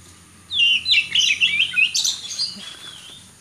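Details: White-rumped shama, a champion bird let loose, singing a rich burst of rapid whistled and warbled notes with quick sweeps and trills, lasting about two seconds before fading; low background hum.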